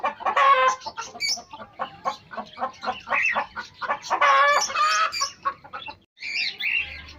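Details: Pet hen among pet chicks clucking in quick rhythmic bursts, with two longer raspy, nasal cackles, then a brief pause and high chick peeps at the close.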